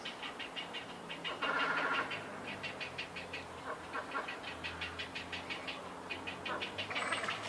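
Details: Grey heron chicks, many at a nesting colony shared with cormorants and night herons, Sendaibori River Park, Koto, Tokyo, 20 March 2022; fast clattering series of harsh ticking notes, about three per second, with a brief louder squawk and a high chirp.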